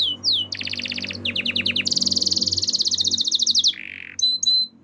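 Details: Varied canary song with high swoops, short pulsed trills, a long very fast high rolling tour and a brief low buzzy note, over a faint low hum.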